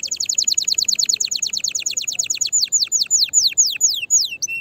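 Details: Canary song meant to stimulate other canaries to sing and to prepare females for mating: a fast trill of high descending notes that slows into longer downward-sweeping whistles, ending with a short low note.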